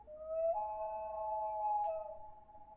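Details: Common loon wail: a single pure, sustained note that steps slightly higher after half a second and holds steady, mellow and flute-like, before easing off.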